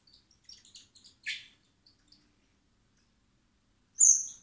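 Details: Hand-reared common blackbird chicks (Turdus merula) being fed in spring at a rescue centre: a run of short high chirps, one harsh rasping squeal, a pause, then a loud piercing squeak.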